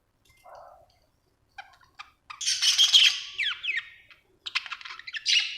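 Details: Budgie described as happy, starting with a few soft clicks, then a loud burst of harsh chatter with rising and falling whistled slurs, ending in scratchy squawks.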